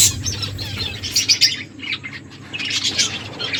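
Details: Finches chirping while eating: bursts of short, high, sharp chirps in quick clusters, a brief lull in the middle, then another run of chirps, over a steady low hum.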